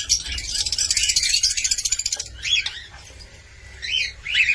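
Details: Cockatiel: a fast rattling pulse train lasting about two seconds, followed by separate whistled chirps that rise then fall, with a low hum underneath.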